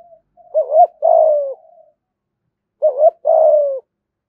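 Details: Lure spotted dove in a cage giving two identical loud cooing phrases about two and a half seconds apart, each a quick double hoot and then a long, slowly falling coo.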